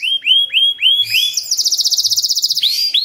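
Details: Canary song meant to coax young canaries into singing fast: a few rising whistled notes, then a rapid buzzy high trill of evenly spaced pulses, ending with another upward-swept whistle.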